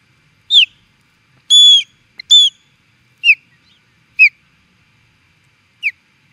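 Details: An osprey in Charlo, Montana, USA, reacting to an intruder, gives six sharp, high whistled notes, each slurring downward, spaced irregularly about a second apart against a quiet background.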